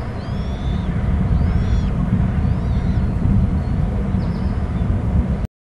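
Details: Eaglets of bald eagles squeeing in their Hornby Island nest while an adult lands without food, recorded by nest cam: faint high arching whistles in short bursts, masked by strong low-pitched wind or engine rumble.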